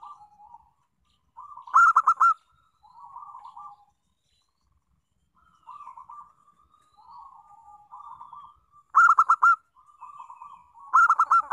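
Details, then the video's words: Local zebra dove song used as a lure to set other doves singing: soft, purring mid-pitched coos broken by loud, stuttering bursts of rapid clipped notes, recurring every several seconds. "Pancingan Perkutut Lokal"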